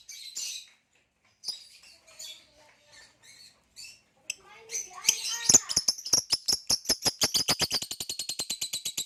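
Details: Captive lovebirds, a green hybrid male and a Nyasa lovebird: scattered high squeaks, then a long run of rapid, regular clicking pulses under thin high whistled notes.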